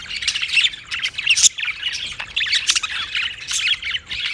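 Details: Several budgies calling together in a busy, high-pitched jumble of squawks, twitters and quick rasping notes, with a loud sharp squeak around the middle.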